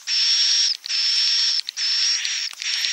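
Edible-nest swiftlet roosting chatter: harsh, buzzy, hissing bursts under a second long, repeated with brief gaps. Nothing else is heard.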